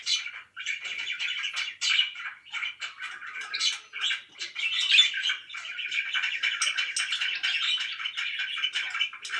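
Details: Loud chattering of pet budgies, choppy bursts of scratchy chirps and warbles early on, then a steadier flowing stream of twittering.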